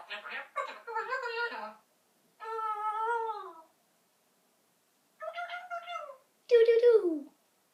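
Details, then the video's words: Eleven-month-old pet eclectus parrot chattering indoors: four nasal, harmonic-rich vocal bursts of one to two seconds with short gaps between them. The first is choppy and the last drops downward in pitch. "Gizmo The Talking Parrot talking away"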